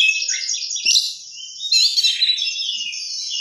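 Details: Oriental magpie-robin, a vigorously singing bird, delivering a rich varied song of bright whistles, quick trills and buzzy mimicked phrases, continuous and high-pitched with a short pause mid-way.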